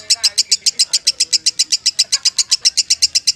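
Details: Champion lovebird pouring out rapid, piercing chirps in a steady train, around seven every second, over a faint murmur of voices.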